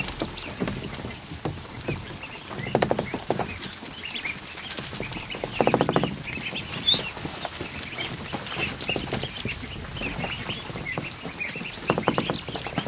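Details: More than a hundred newly hatched ducklings crowd a kiddie pool inside a barn in the afternoon. Faint, high peeps are scattered through steady splashing and rustling, with occasional louder broadband bursts of water and movement.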